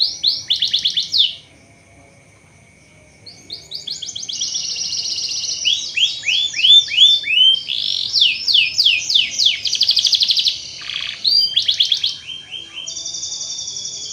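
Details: Speckled white canary singing as a lure to get other canaries singing and rolling: long, loud, high song of fast rolling trills and sweeping repeated notes, changing phrase every second or two, after a short pause near the start, ending in a sustained buzzy trill.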